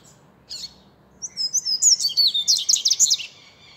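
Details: Seedeater singing: a short high note, then a rapid run of bright, twittering high notes that slur and trill, about one second of quick warbling phrases, with faint low background hum.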